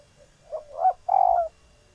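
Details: Female spotted dove in laying condition, kept captive, giving a call meant to excite males into cooing and pairing; a faint lead-in note, then a rising coo and a long, full, slightly rough final coo.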